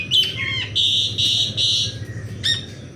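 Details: Morning calls of an Asian pied starling: a slurred whistle followed by drawn-out, harsh, buzzy notes, then a brief sharp burst, with a low background hum.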